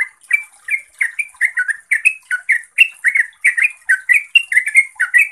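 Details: Bulbul, the yellow-vented kind, singing a fast, continuous run of bubbly, slurred notes. Each note rises or dips, repeated several times a second without a break.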